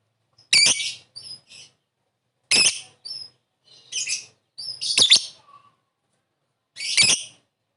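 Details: Lovebird calling, used as a lure for a quick response: harsh buzzy squawks spaced about two seconds apart, each trailed by short high squeaky notes, against silence.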